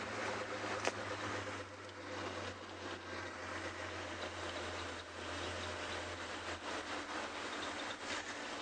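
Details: Steady engine rumble and broad hiss from an afternoon safari drive at Ngala Private Game Reserve, with a low hum throughout, a sharp click near the start, and no animal voices.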